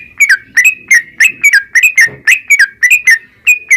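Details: Yellow-vented bulbul in narung ropel style, sung to encourage a bird to sing: lively, closely spaced liquid whistles that dip and rise, several per second, with a faint rustle in the background.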